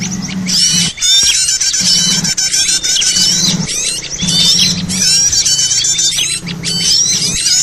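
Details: Small birds calling together in a busy lure mix: rapid high chirps, squeaks and whistled slurs crowd every moment, and a low droning tone rises and falls in short pulses.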